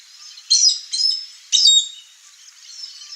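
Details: Chestnut-eared aracari, free in nature in the Cerrado of Brazil, visiting a backyard: three short, squeaky, harsh notes in quick succession, then a faint, trailing rasp, otherwise quiet surroundings.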